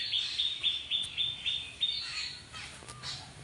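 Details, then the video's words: High-pitched chirps repeated about four times a second from a bird in a riverside village backyard, then softer scattered notes as the series fades. "Birds Chirping by a Riverside House"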